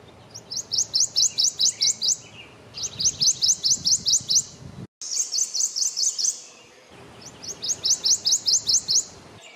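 Prothonotary Warbler singing four loud phrases, each a ringing run of six to eight bright, high, identical tweet notes, with short pauses between phrases.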